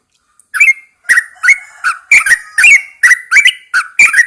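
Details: Morning song of a caged yellow-vented bulbul placed outdoors at first light: loud, slurred, bubbling whistles repeated quickly, around eight phrases in quick succession.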